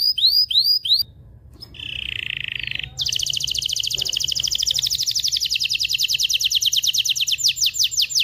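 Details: Canary singing to excite females and males before mating: curved chirps, a short pause, a low steady buzzy trill, then a long fast high rattle of rapid notes.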